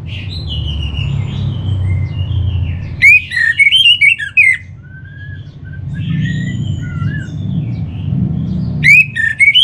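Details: Orange-headed thrush song meant as a lure to make birds sing. Short loud bursts of jumbled whistled and buzzy notes stand out against softer background whistling, with another burst at the end.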